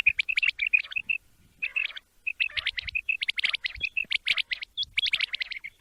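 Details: Quail sound for morning hunting, with runs of short high whistled dots and buzzy chirps repeated rapidly, pausing briefly near the two-second mark before a denser, busier stretch.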